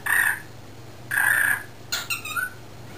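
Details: Young talking male cockatiel, not yet a year old, left in a cage with other cockatiels during driveway work; two loud flat harsh squawks about a second apart, then a brief wavering call.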